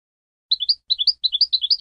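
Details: European goldfinch song: a quick run of short, bright, high chirps in four tight clusters of two or three notes each, crowded into just over a second, with nothing else audible.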